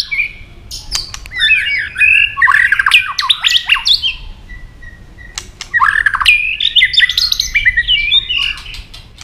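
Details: White-rumped shama stimulated into fighting song, snapping continuously and flicking its tail; rich varied whistled phrases with fast buzzy trills, interspersed with sharp clicks, in two dense bursts separated by a brief pause.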